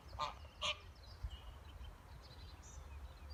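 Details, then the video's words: Duck family outdoors among natural surroundings: two short, harsh, nasal calls in quick succession near the start, followed by quieter distant chirping from small birds and a steady low rumble of background noise. "Andefamilie Smukke Naturlyde ~ Duck family Nature Sounds"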